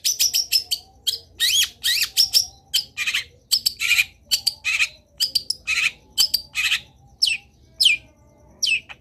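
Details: Long-tailed shrike in lively, varied training song meant to get other shrikes singing: a dense, fast stream of harsh chatters, squeaky rising whistles and scratchy notes, with high sweeping slurs near the end.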